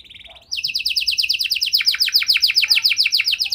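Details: Canary giving lure song for stalled canaries: a soft short trill, then a loud run of quick descending notes, roughly seven per second, continuing steadily.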